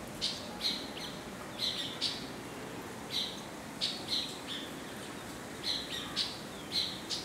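Indian silverbill giving short, thin chipping notes, often in quick pairs, about ten over several seconds, against a steady hiss of outdoor background noise.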